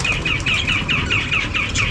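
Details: Caged budgerigars at a bird market in Afghanistan, kept near singing canaries, chatter with quick, bright chirps about five times a second over a low rumble of market noise.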